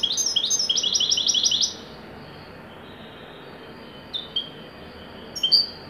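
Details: Wydani goldfinch from Morocco performing joyful song; a fast burst of high, rhythmic tinkling twitters for nearly two seconds, followed by silence and a few scattered sharp chirps.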